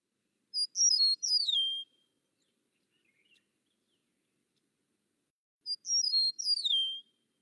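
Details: Eastern meadowlark singing two clear, high, slurred whistled phrases about five seconds apart, each sliding downward at the end; otherwise quiet.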